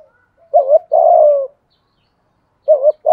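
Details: Spotted dove used as a decoy to coax wild doves into cooing: a quick two-part wavering note then a drawn-out, gently falling coo, with the next phrase starting near the end.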